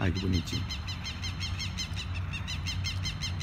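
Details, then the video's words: Southern lapwing (quero-quero) alarm calls while its chicks are being taken from a field: fast, steady train of harsh repeated notes, about three to four per second, with a brief burst of human voice at the start and low rumbling underneath. "Quero-queros filhotes com direito a voos rasantes"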